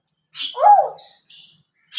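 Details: A pet talking grey parrot, on a Sunday morning at home with its owner talking to it, gives a loud, hoarse rising-and-falling vocalization with a squeaky edge, then a softer buzzy note and the start of another.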